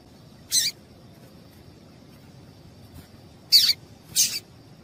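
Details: Female double-collared seedeater calling, a call used to excite males kept by breeders for singing tournaments; three short, high, buzzy chirps, one early, then two close together near the end, over faint steady background hiss.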